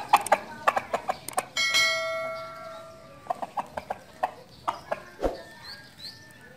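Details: Rooster crowing: one long, steady, strongly harmonic crow held for about a second and a half. It is framed by short, sharp clucking pulses before and after, then a few faint higher chirps.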